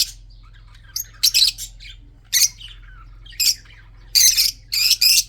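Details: Harsh, grating squawks from red-eyed budgerigars in a breeding colony, coming singly and in close pairs, with quieter chirps and warbles filling the pauses.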